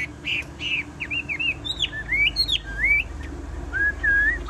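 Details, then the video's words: Chinese hwamei, a tame cage bird, singing varied clear whistles: looping, upslurred and downslurred notes, some drawn out and gliding, delivered in an unbroken flowing phrase over low background hum. "Họa mi thuần đét đẳng cấp hót như máy bộ cực đẹp lắc lồng vẫn hót"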